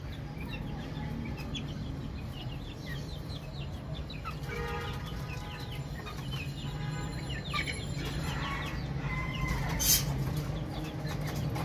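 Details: A crowd of baby chicks peeping steadily, high brief chirps scattered irregularly, some faint, with a loud sharp click near the end and a strong low hum throughout.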